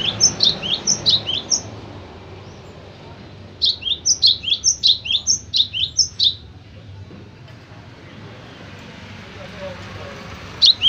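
Cinereous Tit giving quick bursts of high, sharp chirped notes, two rapid runs of about a dozen notes each, over a faint low hum.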